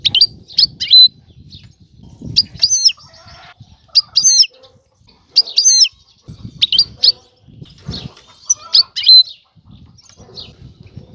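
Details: Calling for a mate, a female European goldfinch tries to lure and excite the male into pairing and nest building; short sharp tinkling call notes repeat about every one to two seconds over quiet low rumbling.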